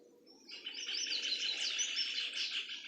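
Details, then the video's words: Several birds singing together in Itatiaia, Rio de Janeiro, Brazil, February 2020: after a quiet start, a dense, continuous chorus of high chirps, trills and twittering notes starts suddenly and carries on steadily to the end. "Birds singing in Itatiaia"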